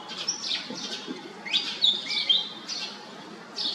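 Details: Pied fantail making a few rasping high notes, with a short thin whistled phrase in the middle and more scratchy bursts after it.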